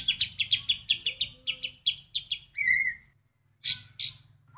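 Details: White-rumped shama full isian: a run of quick repeated chips slowing down, a long falling whistle, a brief pause, then two harsh high notes and a short low note, over a faint hum.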